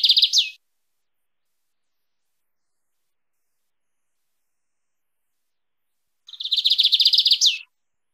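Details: Lined seedeater singing in the wild-type canto mateiro style, used for training or warming up a pet bird: two loud, buzzy rapid trills, the second over a second long and ending in a downward slur, separated by a long silence.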